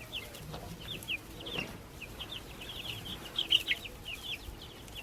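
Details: Several baby chicks raised in a backyard chirp in clear, sharp, descending peeps that are fairly evenly spaced, over a quiet, slightly hissy background.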